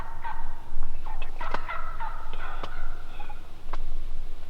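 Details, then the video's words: Wild turkeys calling, watched by an observer learning how to call them in: scattered yelps and clucks with harmonic notes, overlapping voices from several birds, and sharp clicks over a steady low background rumble. "Saturday Turkey Talk! Epic Sounds of Turkeys Calling!!"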